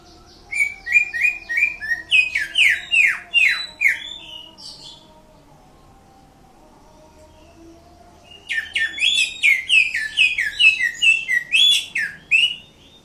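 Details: Greater green leafbird from Indonesia singing in two bursts of quick descending chirps and slurred whistles, separated by a silent pause of several seconds; a low steady hum runs underneath.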